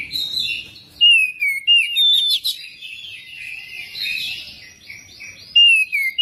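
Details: Magpie-robin song used to prompt other magpie-robins to sing and chatter. Loud, clear whistled slurs alternate with a softer rippling warble, and a final falling whistle rings out near the end.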